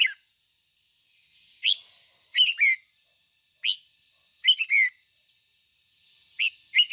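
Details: Red-whiskered bulbul acting as a decoy for training, singing 'ché'-style: single clipped whistles and brief two- or three-note slurred phrases scattered through the recording, with a faint high whine behind them.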